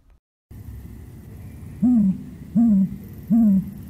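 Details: Great Grey Owl, a very large owl of meadows and forest openings in Idaho that hunts small mammals, gives three deep, soft hoots, each slightly arched and evenly spaced under a second apart, over a faint background hiss.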